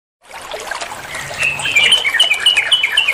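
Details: Yellow-vented bulbul (trucuk) in ropel style, used as a master song to train other songbirds: rapid chattering warble of bright notes that swells louder after the first second, with a faint trickling background.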